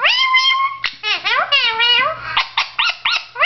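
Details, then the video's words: Blue Indian ringneck parakeet, a male pet, talking to himself in a mirror: a long high-pitched drawn-out syllable, then rapid chattering speech-like phrases with sliding, wavering tones. "the talking parrot"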